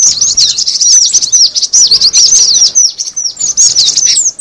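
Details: Cinereous tit lure call: rapid, dense high chirps and downslurred twitters tumbling over each other about twice a second, a busy excited chatter with brief dips between bursts.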